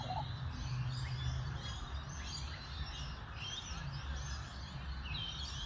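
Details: Australian magpie, subspecies G. tibicen telonocua, giving a run of overlapping chortling and warbling notes, high and busy, over a steady low rumble of wind or distant traffic.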